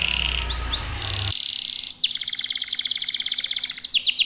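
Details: Local canaries singing together: a couple of rising slurred notes and a buzzy held tone, then a fast evenly pulsed trill, ending with quick falling whistles.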